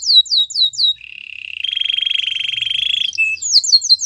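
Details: Canary giving a few quick descending whistles, then a low buzzy drawn-out roll that swells in loudness, ending with more rapid sweeping notes.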